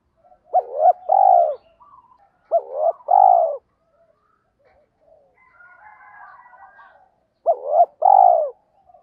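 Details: Spotted dove decoy coo aimed at getting wild birds to answer: three phrases, each two short looping notes and a drawn-out coo, with a faint higher warbling chatter in the long gap before the third.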